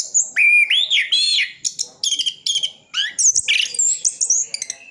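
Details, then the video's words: Orange-headed thrush in full song stuffed with imitations, East Java; clear sliding whistles, wavering warbles and quick chattering notes in varied, tightly packed phrases. "Anis Kembang isian full"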